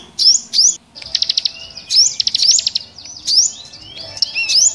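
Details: Small birds calling as a trapping lure, with sharp upswept high chirps in pairs and fast stuttering trills of evenly spaced notes between them.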